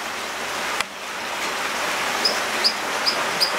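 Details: American dipper at the nest with 2–3-day-old chicks, both parents feeding, giving four short, sharp, high chips about every half second over the steady rush of a stream.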